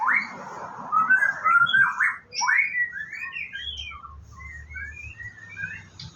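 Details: White-rumped shama at a bird farm during its morning routine, about to bathe: rich whistled phrases, first a long, bright warbling run, then short rising and falling whistles and chirps, with a faint low hum behind.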